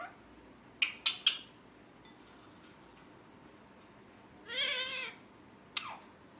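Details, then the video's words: Pet rose-ringed parakeet giving three quick sharp chirps, then a drawn-out harmonic, wavering, voice-like call and one last falling squeak. "First Time Mithu is Speaking His Name Clearly | Parrot Chirping Sounds | Natural Parrot Sounds"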